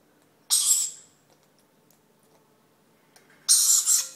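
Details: Young green-naped lorikeet begging while hand-fed: two loud, scratchy, hissing screeches separated by nearly three seconds of near silence, the second one wavering slightly.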